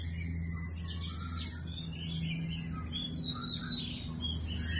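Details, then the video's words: A singing bird gives high twittering and warbling notes with short rising and falling phrases, over a steady low hum. "Singing bird"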